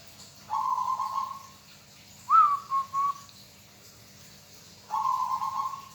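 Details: Steady, soft purring trill from a local zebra dove, then a clipped coo of three short pulses, and the trill starting again, all against a quiet background.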